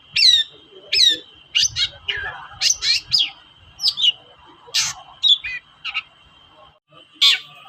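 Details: Long-tailed shrike singing vigorously as a lure for reluctant shrikes: a varied string of sharp chirps, down-slurred whistles and scratchy notes, spaced irregularly with short gaps.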